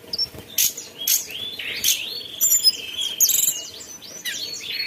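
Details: Mountain tailorbird giving sharp chirps at irregular intervals, followed by a long level whistle and then a tangle of high rising and falling notes.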